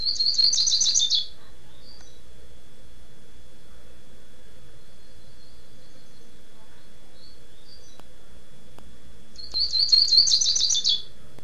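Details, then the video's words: Tirano-style song of a double-collared seedeater recorded in Niterói, Rio de Janeiro, Brazil: two short bursts of high, rapid, buzzy twittering about nine seconds apart, with quiet background hiss between them. "COLEIRO TIRANO"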